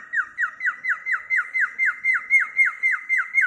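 A cockatiel gives bright, clear down-slurred whistles about four times a second in a steady, even run. The courtship whistle is directed at a female.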